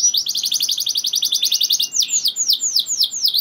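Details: Singing canary whose long rolls are said to goad other canaries into singing. A fast, even rattling trill of rapid repeated notes runs nearly two seconds, then switches to a series of swooping, dipping whistled notes at a slower pace.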